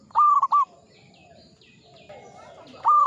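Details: Zebra dove of local stock singing in the ngepat Mataram rhythm: a short, clipped phrase of three loud coo notes, a quiet gap of about two seconds, then the start of the next phrase.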